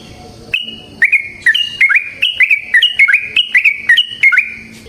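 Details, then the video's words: Yellow-vented bulbul in long, rapid 'ropel panjang' style song, used as a lure for other bulbuls: a steady series of clear whistled notes, each a brief flat tone with a quick downward flick, about three per second. "Trucukan GACOR ngalas ROPEL PANJANG suara alam AMPUH buat pancingan"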